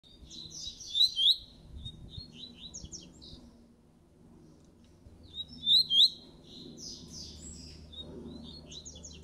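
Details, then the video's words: Caged coleiro laranjeiro seedeater coming out of moult sings two bursts of rapid, high twittering and buzzy trills, each about a second long and spaced about five seconds apart, over low indoor hum. "COLEIRO LARANJEIRO PROTETOR SAINDO DE MUDA"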